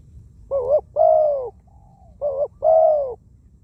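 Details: Thai decoy spotted dove with a small voice and many coos; two two-part coo phrases, a quavering short note then a long falling coo, linked by a soft quiet note.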